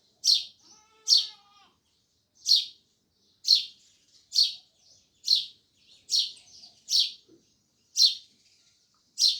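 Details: Sparrows chirping loudly in a run of about twelve bright cheeps, mostly a second or less apart, with a brief nasal overtone-laden call near the start.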